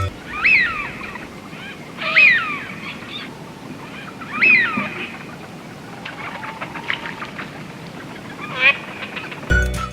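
Eurasian Wigeon giving clear, rising-then-falling whistled 'wheeoo' calls about every two seconds, then softer chattering notes, over a low background rumble.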